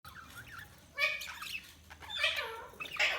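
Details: Budgerigars chirping: short scratchy chirps and warbled notes in bursts, a louder cluster near one second and another from about two seconds on, with a faint low background hum.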